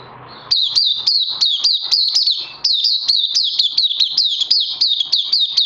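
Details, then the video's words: Caged oriental white-eye launching after a quiet start into rapid, high, looping chirped notes, repeated several per second in a steady energetic stream. "Puteh Crazy LG"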